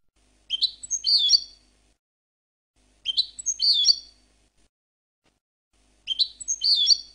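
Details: Goldfinch song segments: three complex one-second phrases, each opening with clicky notes and flowing into twittering, buzzy trills, repeated about every three seconds, clean and high-pitched.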